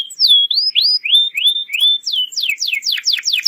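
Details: Canary singing to train young birds: clear rising whistled slurs about three per second, followed by a quickening series of steep downward sweeps.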